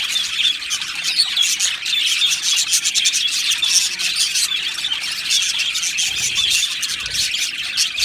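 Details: Aviary colony of Australian budgies singing and chirping: many birds overlapping in steady, busy high-pitched twittering and warbling, with occasional sharper squeaks, unbroken from start to end.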